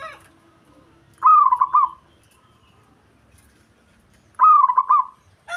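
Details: Local zebra dove song meant to stir up a rival male: two separate phrases, each opening with a sharp rising note and then a quick run of rolling, staccato coos. Long quiet gaps between phrases.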